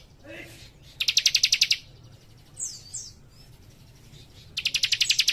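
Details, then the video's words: A young cikrak gives bursts of about nine rapid, high, ringing chips, then a pair of soft downward-sliding whistles before another fast burst starts; a faint low chirp opens the clip. "Cikris Muda Gacor Nembak Rapat"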